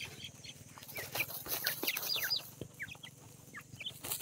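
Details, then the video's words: Grey francolin (teetar) chicks giving thin, high peeps, short rising and falling chirps scattered irregularly, several a second, over a low steady hum. "grey francolin chicks,teetar chicks sound"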